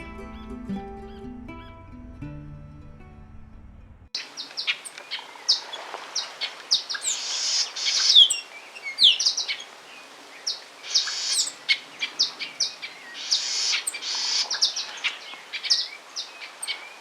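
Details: Grayish baywings in central Argentina chatter in a lively flock, with bright, varied chirps and squeaky notes after a brief musical intro.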